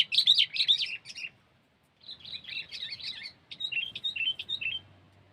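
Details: Kutilang (sooty-headed bulbul) sound used as a bird lure: busy, jumbled high chirps and twittering whistles in two long phrases split by a brief silence, with a faint low hum underneath.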